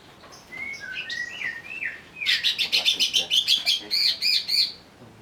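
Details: Agitated greater green leafbird, lured into singing: a few slurred whistles, then a rapid series of about a dozen buzzy, clipped notes repeated several times a second.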